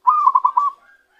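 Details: Zebra dove freshly caught by luring, starting to give its natural voice: one short burst of rapid, rolling coo notes, five or six quick pulses run together and trailing off, in a quiet room.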